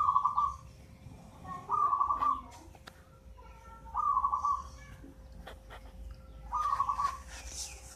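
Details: Local zebra dove, a young bird eight months old taken from a nest in a mango tree, already singing eagerly: four short, rapidly trilled cooing phrases spaced about two seconds apart, with faint background chirps.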